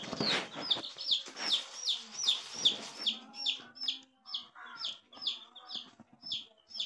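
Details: Several coloured baby chickens peeping steadily, bright downward-sliding cheeps repeated about twice a second in a fairly even rhythm, with a few louder rustling thumps early on.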